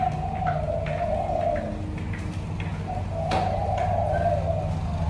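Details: A captive spotted dove kept for singing, currently moulting, gives deep, drawn-out coos that swell and fade, over a steady low rumble and a few soft clicks.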